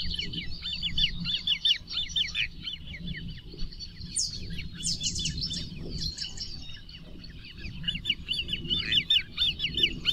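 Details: Great crested grebe: bursts of quick, high, arched piping notes repeated in series, broken midway by some brief harsher sounds, over low rumbling noise.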